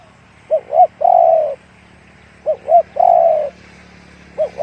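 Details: Spotted dove singing in the 'one kuk, big voice' style: two short rising-falling coos, then one long, low, steady coo. Two full phrases about two seconds apart, with a third just starting at the end.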